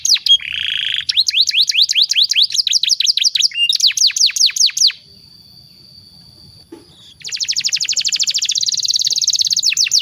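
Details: Canary master song for young birds in training: rapid descending whistled notes and a buzzy trill, a pause with a thin steady tone, then a fast rattling trill.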